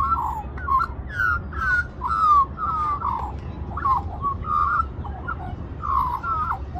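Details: Australian magpie in Cirillo Reserve, Middleton Grange, New South Wales, Australia, singing while begging for mango at lunchtime among a group of young magpies; warbled, fluting notes with quick rising and falling slides, phrases repeated steadily over low background rumble.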